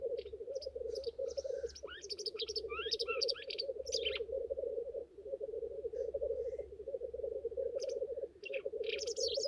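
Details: Black grouse courtship display on a lek: an unbroken low bubbling chorus, briefly interrupted, with a few sharp hissing notes, while other small birds sing quick high twittering phrases over it.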